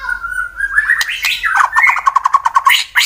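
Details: Fighter white-rumped shama from Wonosobo, Central Java, Indonesia, provoking rivals to sing: a smooth rising whistle breaking into a quick rattling series of clipped notes, ending in a harsh burst.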